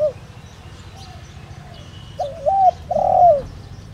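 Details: Caged decoy spotted dove with the 'đồng rặc' voice, used to rouse other doves. After two quiet seconds, one loud cooing phrase comes: short low notes rising into a long, rolling, slightly descending croo. Faint background hum.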